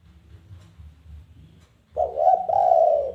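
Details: Spotted dove challenge call, used to draw other doves into calling: soft low hum, then a strong coo phrase, a brief coo followed by a longer, even coo.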